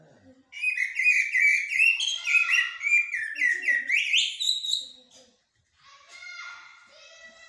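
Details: Common blackbird known locally as jahmoumia, delivering blacksmith and military style song: about four and a half seconds of fast, loud whistled warbling with upward slides, followed by quieter chattering notes and faint voices.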